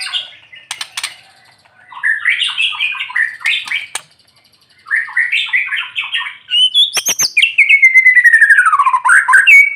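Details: White-rumped shama (murai batu) singing during morning sunning to spur silent shamas: chattering bursts of mixed notes, a pause, then a loud rapid trill sliding steadily downward.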